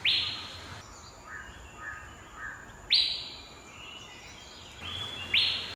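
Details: Asian fairy-bluebird (Irena puella) call: three loud, sharp calls about every two and a half seconds, each rising quickly then held briefly, with softer lower notes between.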